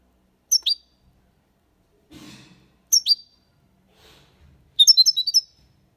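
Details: European goldfinch singing the Málaga copy, a clean song for teaching young birds. Two pairs of sharp high chirps, a soft rustle between them, then a half-second burst of quick twittering notes.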